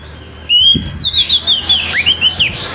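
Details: Orange-headed thrush singing loudly in the morning, with a rough voice used to prompt other thrushes to sing: a high whistled phrase that slides and wavers, followed by quick pulsing notes with swooping dips.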